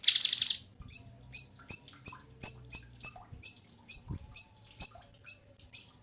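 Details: Cungkok song used as tutor recording for songbird training: a harsh, rapid buzzy rattle, then short sharp high whistled notes with a falling tail, repeated about every third of a second.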